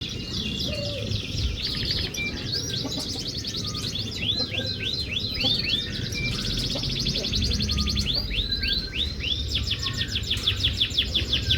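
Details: Canary song played to coax a silent canary into singing: fast, high trills and runs of rapidly repeated upslurred notes, with a steady low rumble of background music throughout.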